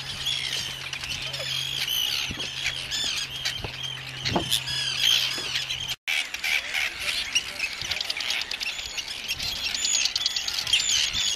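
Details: Arctic Terns at their Inner Farne colony, Farne Islands, Northumberland, UK, on 6 June 2013, with people photographing them, filmed on a Canon PowerShot SX30 IS; many harsh, grating calls overlap in a continuous chorus, with a brief dropout midway and a low hum.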